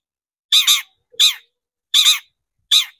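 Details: Long-tailed shrike lure recording meant to stir shrikes into singing: loud, rasping squawk-like double notes repeated about every three-quarters of a second, coarse and broadband, with silence between.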